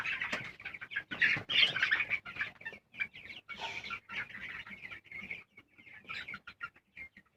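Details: Chirping of colour broiler chickens: rapid, piercing peeps crowd together at first, then thin into separate short chirps with gaps between them, plus scattered rustling noises.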